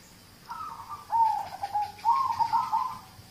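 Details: Local zebra dove singing, audio meant to prompt other birds to sing: a soft gliding coo leading into rapid, rolling, trilled notes, about three seconds of continuous phrasing.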